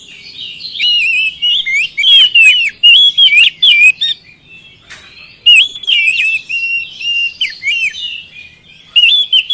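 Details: Oriental magpie-robin song used to coax singing: repeated loud phrases of swooping whistles and crisp chirps, in two long bursts with a short pause.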